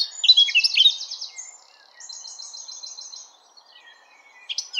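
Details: Eurasian blackcap singing: fast, buzzy, rattling trills of rapidly repeated high notes in two phrases, with a short high note at the end and a faint steady low hum beneath.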